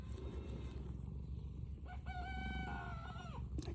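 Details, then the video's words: Young Turken chicken just learning to crow at about 5 am: a single strained, hoarse crow that holds a steady tone for over a second and then drops sharply at the end, over a constant low rumble. "Turken sounds like dying chicken toy!"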